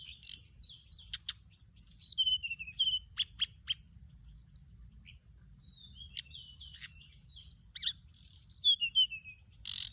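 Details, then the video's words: Mugimaki Flycatcher lure sound with repeated high descending whistle series, sharp vertical ticks and short trills, in bursts separated by brief quiet gaps. "เสียงต่อ นกจับแมลงอกส้มท้องขาว"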